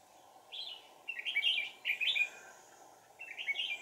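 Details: Red-whiskered bulbul decoy luring wild birds into a trap in deep forest, 1 April 2019; lively bursts of warbled, chattering notes in three phrases, each about half a second long, over a constant low electrical-sounding hum.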